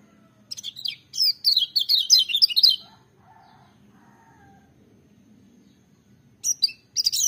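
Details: Energetic, piercing song of a lemon-bellied white-eye: a dense two-second stream of high, wavering chirps, a quiet gap with soft lower twitters, then the bird starts singing again.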